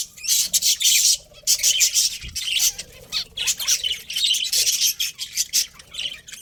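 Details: Budgies chirp in pulsing bursts of high, grating twitters, rising and falling roughly every half second, with a soft thump in the background.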